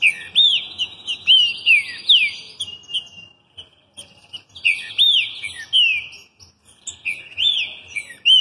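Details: Singing trinca-ferro (green-winged saltator), Rio de Janeiro, Brazil: two long bouts of bright, looping whistled notes, each bout a rolling string of arched slurs, separated by a brief pause with scattered ticks.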